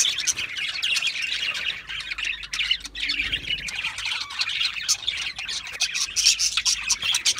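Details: Several budgerigars chattering together, a steady, busy stream of raspy warbles, clicks and squawks.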